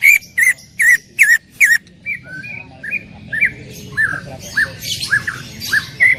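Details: Greater green leafbird in loud 'tembakan' song: five strong downslurred whistled strokes in a fast row, then a looser series of softer varied whistles and chirps with occasional harsher rasping sounds.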